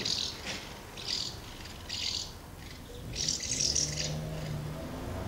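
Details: Common house martins crowd around two nests on 24 August 2012, feeding young. Four clustered bursts of dry, rapid chirping, each about half a second long, separated by short pauses, over low rumbling noise.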